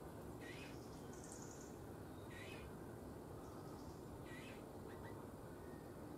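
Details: Eurasian bullfinch at a feeding spot on 7 June 2020, giving soft, short piping notes about every two seconds, faint over a steady low rumble and hiss.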